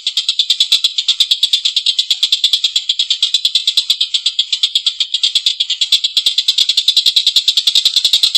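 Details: Long, harsh laughing series from a collared kingfisher, used as training audio for cage birds: rasping kek notes rattled off quickly and evenly for over eight seconds.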